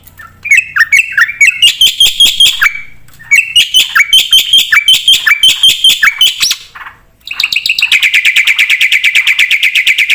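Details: Black-winged myna singing continuously, its song packed with varied phrases, for use as a tutor recording: rapid bright chattering phrases with ringing whistles, a short pause, then a long fast rattling trill of uniform high notes.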